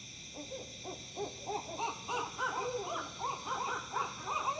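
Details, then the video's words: Several owls in Tennessee call together in a rapid, excited run of short rising-and-falling hoots that speed up and climb in pitch, sounding almost monkey-like, over a steady high droning background. "Owls Hooting, Making Odd Noises."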